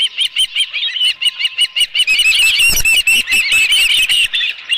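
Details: Osprey at a ranch nest with a live fish, giving rapid, sharp, whistled chirps about two or three per second, each slightly upslurred, in a steady run that grows denser and more overlapping in the second half.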